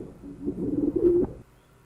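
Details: Pigeon cooing, played as a familiar example in a lesson on animal communication: a low, throaty, rolling coo lasting just over a second, ending in a brief, steadier note, with faint room noise.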